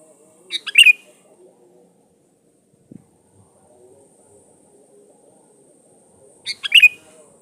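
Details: Lure recording of a sooty-headed bulbul singing steadily to draw in rival birds. Two brisk, bright whistled bursts about six seconds apart, with faint low rustling and a click in the quiet gap.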